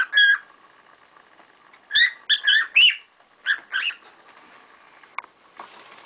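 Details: Noisy pet cockatiels: a single scratchy call, then a quick string of buzzy, upward-sliding chirps, fading into softer calls and faint rustling.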